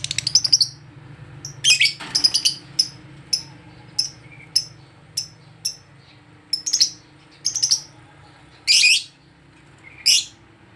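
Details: Lovebird made agitated on meeting another lovebird: sharp, high, shrill chirps in short separate bursts, some quick doubled notes and a few longer harsh rasps, with a steady low hum beneath.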